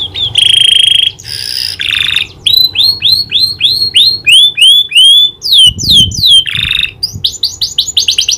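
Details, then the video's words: Canary singing energetically, trained to imitate a prinia's clicking call. Opening buzzy rolls give way to a long series of swooping rising-and-falling whistles, then quick clicky trills. "Burung kenari gacor isian prenjak klik"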